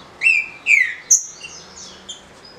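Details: Green-winged saltator (trinca-ferro) from legal captive breeding, singing in the 'de roda' style known as 'canto fácil': two loud, clear, downslurred whistles followed by a sharp high note and softer trailing notes.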